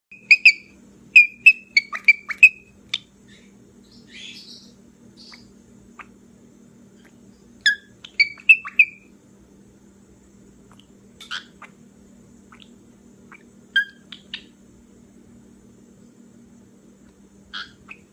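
A cockatiel gives bursts of sharp, high squeaks and chirps with quiet pauses between.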